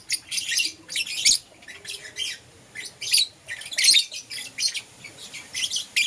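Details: Lovebirds, Euwing green opaline and lutino, kept as pets, chirping in the morning: bursts of harsh, high, broadband chirps and squawks in irregular clusters separated by short pauses, with a faint low hum underneath.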